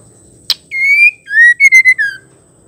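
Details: Female white-rumped shama calling, a sound said to excite males into singing: a sharp click, then a run of clear, steady whistled notes, one long and level, then shorter ones in a quick series ending in a slight fall, in a quiet room.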